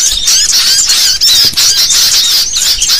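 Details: Lure recording of a restless sooty-headed bulbul flock: rapid squeaky chirps and looping whistles delivered in quick, loud surges, several birds calling over each other.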